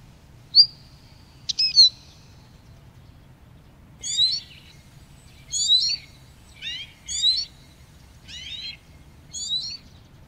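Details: Eurasian siskin, the smallest member of the finch family, opening with a thin drawn-out whistle, then repeated twittering, buzzy high phrases spaced roughly every second over quiet background hum.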